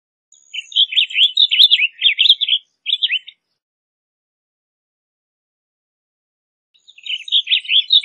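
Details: Blue grosbeak song: a rapid, jumbled warble of slurred chirping notes lasting nearly three seconds, a short pause, then a second warbled phrase beginning near the end, with a thin high whistle above the first phrase.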